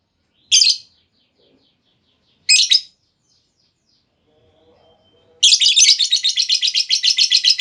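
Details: Female lovebird call used to lure other lovebirds into answering with long trills: two short, sharp high chirp bursts separated by silence, then a rapid, fast-repeating chattering trill that runs to the end.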